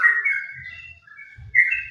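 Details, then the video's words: Trucukan (yellow-vented bulbul) in ropel song around late morning, cloudy weather: a brief flow of clear whistled notes, first falling, then a break, then rising whistles again, with faint low background rumble. "trucukan ropel istimewa"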